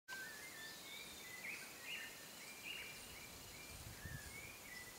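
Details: Hooded berryeater (Carpornis cucullata), a Brazilian endemic, giving short, clear whistled notes, some slurred upward, spaced about half a second apart over a steady hiss of forest background noise.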